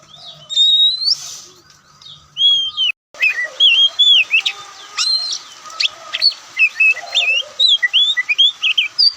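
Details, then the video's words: Oriental magpie-robin, the white-breasted Kacer Poci or Kucica Kampung, singing loud, varied phrases: a few whistles, a short pause, then a rapid stream of sweet, slurred and buzzy notes over a faint steady hum. "Kicauan Santai Kacer"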